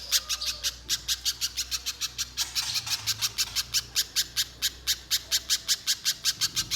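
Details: Vocal little spiderhunter, a lure for drawing extended song from other spiderhunters, gives a fast chain of piercing, high chip notes, some thirty-four in under seven seconds, with a brief rustle partway through.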